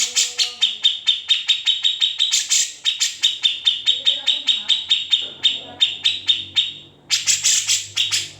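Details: Grey-cheeked bulbul delivering its characteristic ngetril trill and ngepik notes as a master song: long fast rattle of crisp metallic clicks, breaking off into softer scratchy sounds, a short silence, then renewed harsh bursts.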